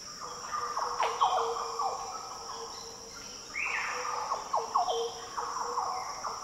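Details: Deep, fluty song phrases of Green Orioles in Australia's Daintree rainforest, several liquid notes in quick runs with one rising swoop midway, over a constant high-pitched insect hum.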